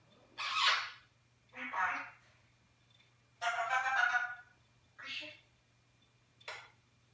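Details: Toto, a talking eclectus parrot of the New Guinea form, recorded 21 January 2015, speaks English and Flemish in five short, raspy, breathy phrases spaced about a second apart over a steady low hum.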